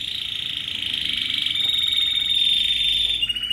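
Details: Timbrado canary from Athens, Greece, 2010, selected before training: a continuous rolling, metallic trill held at an even pitch, shifting slightly near the end, with low background hum.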